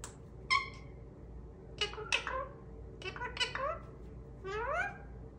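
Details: Indian ringneck parrot kept as a pet indoors, giving several short harmonic vocal phrases with rising and falling squeaky tones, four bursts spread over a few seconds against a quiet room hum.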